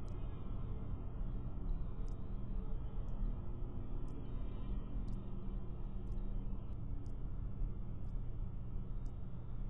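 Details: Steady low rumbling noise with faint scattered high ticks and no animal voice.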